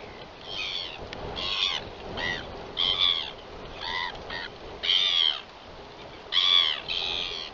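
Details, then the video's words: Royal albatross (toroa) at the Taiaroa Head colony, New Zealand, at the start of the 2021/22 season, mostly males awaiting mates, evening of 11 October 2021: loud harmonic braying calls in bursts at irregular intervals, with faint wind behind. "Royal Albatross~Arrival and great sky calls!"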